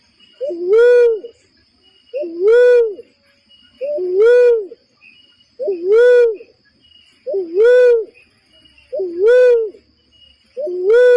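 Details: Lure call of the barred cuckoo-dove (uncal loreng) for bird trapping: a regular series of low, hollow, slightly rising-then-falling coos, seven in about eleven seconds, over a faint high steady hum.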